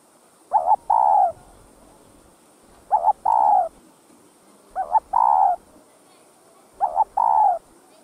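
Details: Spotted dove calling to stimulate other doves: four evenly spaced two-part coos about every two seconds, each a short broken double note then a sustained falling hoot, with a thin constant whine above.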